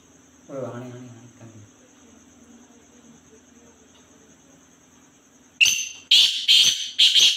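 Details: Black francolin calling: after a short low murmur and a near-silent stretch, four loud, harsh, grating notes follow in quick succession.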